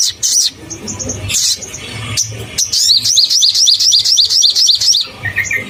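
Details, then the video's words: Crimson sunbird in fiery song meant to provoke other sunbirds: sharp high bursts, then a fast regular run of hooked shrill notes, about four per second, ending in lower chips, with low hum behind. "SOGON GACOR BUKA PARUH bikin naik emosi semua burung SOGON - Pancingan SOGON"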